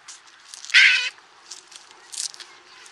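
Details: White-backed vulture (Gyps africanus) in Kruger National Park giving one loud, harsh, rasping squeal of about a third of a second, followed by a few fainter scratchy calls.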